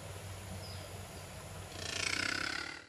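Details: A crested caracara (Caracara plancus) gives a harsh, rapid rattling burst lasting about a second, after a low background rumble.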